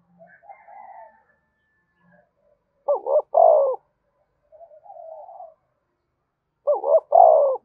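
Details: Spotted dove cooing to stimulate other doves: quiet low murmurs, then two phrases of paired short notes and a long, strong coo, about four seconds apart.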